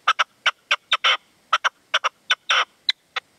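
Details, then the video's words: Calling between a caged decoy partridge (reclamo) and a wild male at sunset in the sierra, Manzanares, 27 February 2014. Loud clipped notes fall in quick doublets, broken by longer rasping bursts, all on an irregular beat. "PERDIZ Y RECLAMO"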